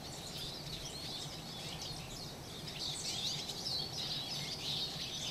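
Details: Winter flock of Eurasian siskins bathing in turn; dense overlapping high chirps and thin twittered notes, growing louder toward the end, above a constant low rumble.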